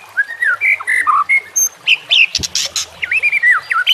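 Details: White-rumped shama singing for training caged birds: quick varied whistles, twisting slurs and chirps, a sudden harsh buzzy burst midway, then more looping whistled notes.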